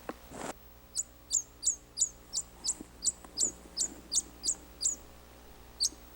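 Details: Tawny Owl chick calling from inside its egg just before hatching, in a March chestnut-tree nest behind a farmhouse at Bonghwa, upper Nakdong River, Korea: thin, very high cheeps about three a second after a brief rustle.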